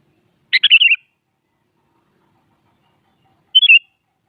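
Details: Sooty-headed bulbul in morning song against a rival: a fuller chattering phrase of several quick notes, then a shorter whistled three-note phrase three seconds later.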